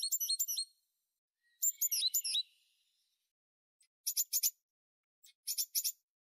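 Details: Tit uttering quick strings of sharp, high chirps in short bursts, one bout including a descending slurred twitter, separated by pauses of silence.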